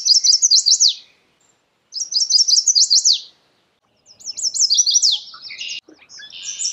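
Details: Chestnut-sided warbler singing three phrases about a second apart, each a run of bright, high repeated slurred notes ending in an emphatic downward flourish; no other sounds stand out in the quiet setting.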